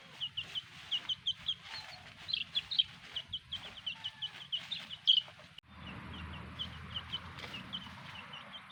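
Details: Black hen with her chicks: many high, short chick peeps repeated rapidly, with a few lower hen clucks mid-clip and soft background noise.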